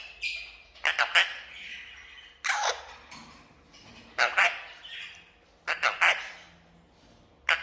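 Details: Talking red-breasted parakeet greeting guests, producing repeated clusters of raspy, voice-like syllables roughly every one and a half seconds, each cluster two or three quick notes, indoors with a faint steady hum.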